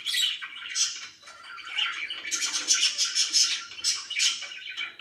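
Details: Pet budgerigars sounding very happy, a busy flock chatter of rapid chirps and shrill squeaks, rising into a dense run of pulsed notes.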